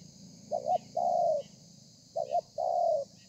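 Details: Wild-caught spotted dove performing a 'thổ pha' song, recorded 30 November 2020: a short stuttered double coo, then a drawn-out descending coo, given twice against a constant background hum.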